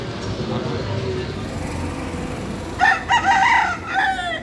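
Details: Free-roaming rooster crowing in the streets of Key West, Florida, an island city where roosters and hens wander freely: after a quiet stretch of low traffic rumble, a loud harmonic crow breaks in, falling at its end, over street background.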